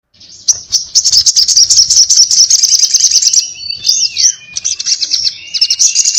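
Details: Crimson sunbird in excited 'ngobra' fighting-style chatter: a dense, very high buzzy trill of rapid ticking notes, then thin whistled slurs, one falling steeply, before the twittering resumes.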